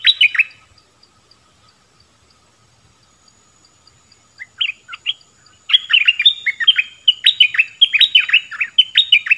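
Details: Bulbul opening with a short chirpy phrase, pausing, then launching into a long, lively string of bright, falling and rising warbled notes repeated rapidly.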